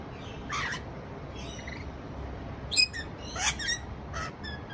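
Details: Rainbow lorikeet calling its friends for a feast: harsh, screechy squawks in short bursts, four or so spread over nearly five seconds, some doubled, over a steady low background rumble.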